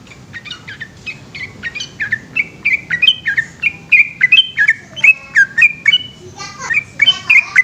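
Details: Yellow-vented bulbul singing a long, lively rolling song at night, a fast string of short, rich whistled notes with sliding pitch, about three notes a second, growing more varied and chattering toward the end.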